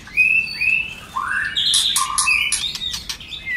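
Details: Varied song of a white-rumped shama, meant to spur other shamas into singing: long gliding whistles rise then give way to dense high clicks and a flat low whistled note.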